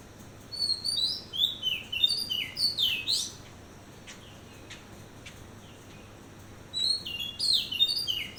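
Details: An Oriental magpie-robin sings at dawn, bright varied whistled notes in quick rising and falling phrases, with a quiet pause separating two bursts of song.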